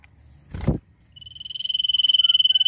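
A Common Iora gives a long, drawn-out, high whistle that pulses rapidly and swells in loudness, after a brief dull thump.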